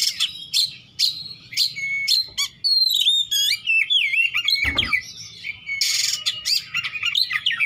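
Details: Oriental magpie-robin in besetan-style song packed with varied fill material. Repeated sharp chips give way to rapid twittering trills, slurred whistles and harsh rasping bursts, with a low hum and one thump.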